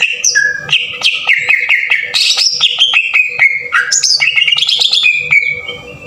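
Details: Green leafbird (cucak ijo) singing in a harsh, aggressive 'tembakan kasar' style, used as a lure to rouse other leafbirds: rapid varied phrases of whistles, sharp chips and slurred notes at high pitch, packed densely with short clicks between.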